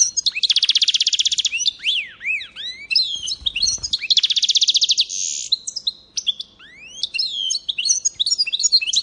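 A goldfinch-canary mule sings rapid trills and twittering, swooping notes.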